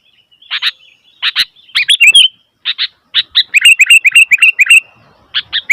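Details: Noisy Sooty-headed bulbul calling: loud, sharp chirped notes in short bursts, then a fast run of bubbly, rising-and-falling chirps repeated several times a second, with brief pauses between phrases.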